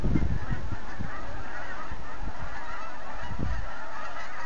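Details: Geese lifting off the Rideau River south of Manotick in autumn, a cluster of low honks early on, then scattered calls under a steady rushing background.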